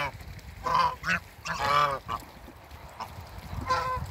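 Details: A pair of farm-kept African geese calling on being met: several loud nasal honks with rich harmonics, a few in quick succession and one more after a short pause, over a background of farmyard noise.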